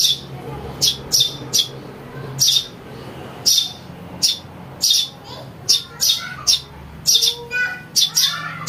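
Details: Young house sparrow calling, a lure sound: insistent, high chirps in clusters of two or three, with a brief rattly trill toward the end.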